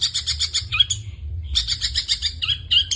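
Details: Brief excerpt of long-tailed shrike 'gacor full isian' song, with quick high chips, a short pause, then another fast chattering phrase with sharp whistled accents.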